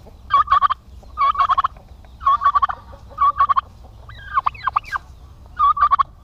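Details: Male domestic turkeys kept together in Paraná, Brazil, called fierce, gobble in regular rattling bursts about once a second, with a higher whining call midway.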